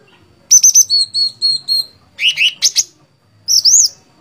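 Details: Gacor fighter song of a sooty-headed bulbul (cucak cungkok): a row of level high whistles, then rising slurred notes and a closing arched whistle, with brief silences between phrases.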